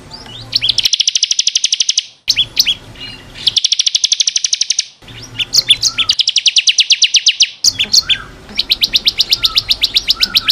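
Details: Ciblek kristal, the bar-winged prinia, delivering repeated long rapid trills of high buzzy notes separated by brief chirps, recorded to train caged birds.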